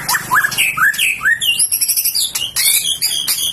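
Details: Contest-ready White-rumped shama with a fighter temperament, giving loud slurred rising whistles in quick succession, followed by high thin trilled phrases and scattered sharp notes.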